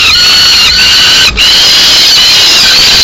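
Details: Young peregrine falcons being fed a pigeon by their mother in Madrid, May 2016: an unbroken, piercing, harmonic wailing that wavers slightly in pitch, broken by one short gap, over faint low background hum.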